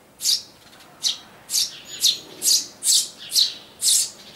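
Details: Eurasian tree sparrow from a pair breeding in a garden nest box in summer 2012, giving eight harsh, high chirps, about two each second, loud and clear in an otherwise quiet setting.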